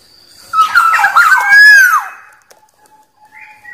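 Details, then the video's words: Wild Black-naped oriole song for provoking rivals: a single rich phrase of quick warbled whistles with rasping edges, ending in a smooth falling slur, followed by near silence and faint distant notes. "Suara Burung Kepodang liar Paling Ampuh Memanggil lawan"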